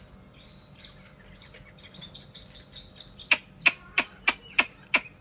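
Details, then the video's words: Chinese hwamei singing, opening with a thin sustained high whistle and soft notes, then a series of six loud sharp, clipped notes repeated roughly every third of a second. "họa mi"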